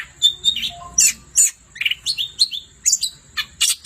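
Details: Long-tailed shrike singing vigorously at night: a varied run of short sharp chirps and slurred notes, some dropping and some rising, delivered in quick irregular bursts with brief gaps.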